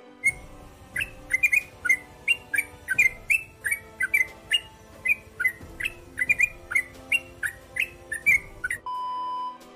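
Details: A Yellow-vented Bulbul, a bird that sings diligently at dawn, sings short, bubbly, liquid phrases, about one or two each second, in a lively chattering series; a brief steady electronic tone closes the recording.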